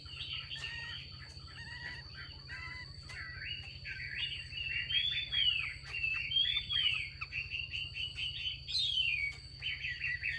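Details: A female Chinese hwamei calls to prompt males to sing. Rapid, varied chattering whistles build into arched, rising-and-falling slurs and end with a sharp downward sweep, with a steady thin high tone throughout.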